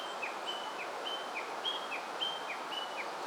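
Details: Wild Japanese leaf warbler singing in the evening in mid-August at Oze, Japan, where the birds grew less wary and came close to people; faint, thin high whistled phrases, each a flat note then a short lower downslur, repeated roughly twice a second over steady hiss.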